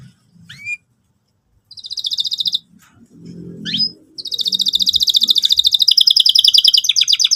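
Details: Canary song used to prompt young canaries learning to sing: two short rising whistles, then fast buzzy trills near the top of the range, a low murmur in between and a long rapid trill to the end.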